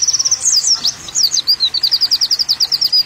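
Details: Olive-backed sunbird song: high thin twittering notes, then a fast run of repeated sharp chips of even pitch, bright and shrill throughout.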